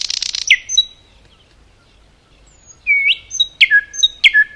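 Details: Nightingale song in forest: after a noisy loud opening and near silence, sweet upslurred whistles and paired notes repeated in a slow, deliberate sequence with faint low background noise.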